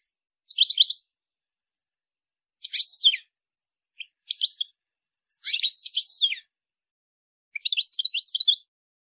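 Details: A female European goldfinch calls to urge the male to mate, giving five separate bursts of rapid, twittering high notes with clean silence between them.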